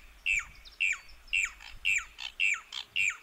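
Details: Brown Cacholote from Argentina giving six sharp, scratchy notes that each slur downward, spaced evenly about half a second apart against a quiet background.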